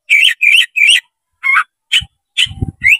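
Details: Tail-opening Oriental magpie-robin (kacer) singing as a fight challenge to rivals: loud, clear whistled notes repeated in quick succession, then scattered sharp notes, with faint low knocks.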